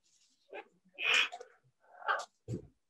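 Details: A pair of parrots talking to one another, possibly in English words. Short, garbled, speech-like bursts and a raspy squawk are followed by a low thump.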